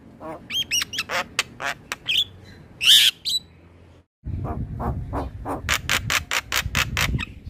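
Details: Male black-winged starling singing vigorously, used as a tutoring recording for young starlings: harsh squawking and chattering notes in quick bursts, a brief dropout midway, then a steady run of loud rasping repeated notes over low background hum.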